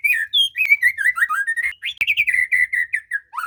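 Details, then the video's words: White-rumped shama delivering a continuous run of varied whistled phrases, fluting notes and quick trills, played to get a quiet bird singing; a couple of sharp clicks break in. "Memancing muray males bunyi"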